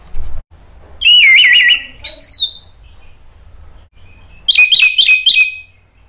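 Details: Orange-headed thrush lure song for prompting other thrushes to sing: a rippling trilled whistle, then a rising whistled note, a pause, and finally a quick burst of sharp, bright repeated notes.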